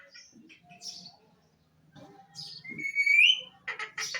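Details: Talking parrot murmuring softly, then a loud rising whistle, followed by a few quick harsh chattering notes, with faint low background hum.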